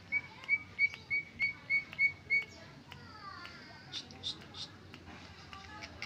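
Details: Greater green leafbird singing its original song without learned fill-in phrases: a run of about nine clear whistled notes on one pitch, evenly repeated, then softer chirps and faint warbled notes under a low background hum.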